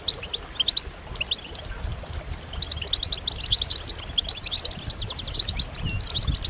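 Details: Many European goldfinches twitter at once, mating and readiness calls intended to get males singing; sparse chirps at first build into a dense, rippling wash of high tinkling notes.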